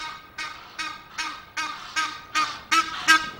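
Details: Egyptian geese heard close on a Loch of the Lowes webcam, Scotland, 5 March: loud, nasal, harmonic honks repeated about every 0.4 seconds, growing stronger toward the end.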